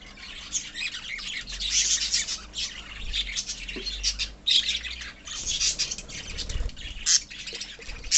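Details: Many budgerigars in a colony give continuous high, scratchy chirps and short squawks, overlapping in waves of rising and falling loudness.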